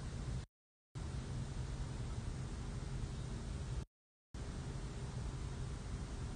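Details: Constant hiss and low hum from a camera feed, cut by two brief silent dropouts, with no animal voices.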